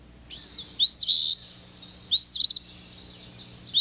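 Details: Ash-throated Flycatcher, a western species of varied habitats including open desert and widespread in summer, giving two burry, rolling calls about a second apart, each rising then falling high note; faint background hum.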